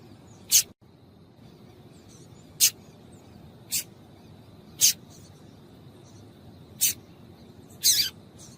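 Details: Female yellow-bellied seedeater calling to excite males into singing: six short, harsh, high chip notes spaced unevenly about one to two seconds apart, over a faint steady high hum.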